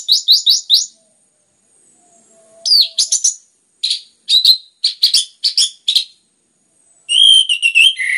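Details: Orange-headed thrush song used to stimulate other birds: rapid high trill-like notes, then spaced sharp chirps repeated roughly twice a second, ending in a rich warbled phrase, with a faint steady whistle tone.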